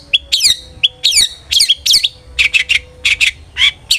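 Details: Lively long-tailed shrike song used to prompt other shrikes to sing: a steady whistled note leading into sharp descending slurred chirps, repeated, then buzzier grating notes.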